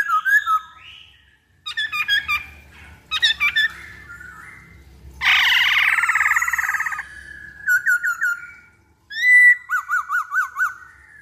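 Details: Black-throated laughingthrush song as a lure: clusters of sharp repeated whistled notes, a long harsh chattering stretch in the middle, then rapid repeated notes and a rippling series of bouncing whistles.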